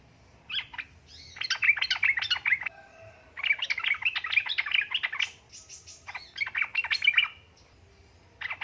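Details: Female yellow-vented bulbul in heat calling the male, played to draw out quiet males: three long bursts of rapid, busy chattering notes separated by short gaps, over a steady low hum.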